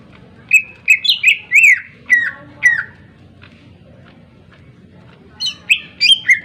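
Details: Greater green leafbird singing to provoke other birds: short bursts of sharp downslurred whistles and chips, a pause of about two seconds, then another quick burst of bright notes over faint background hum.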